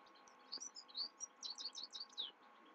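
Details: Night song of a Himalayan goldfinch, a lively string of high, sweet twitters and quick downslurred chirps repeated in a rolling series, with a faint hum beneath.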